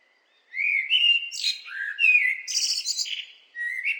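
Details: After brief quiet, a blackbird sings a flowing, fluty warble mixing smooth low whistles with a higher twittering section, then begins another phrase.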